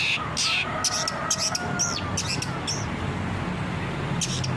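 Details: Long-tailed shrike in a masteran training recording for captive birds: harsh, scratchy notes in clusters, with a thin drawn-out whistle running underneath and a steady low hum behind.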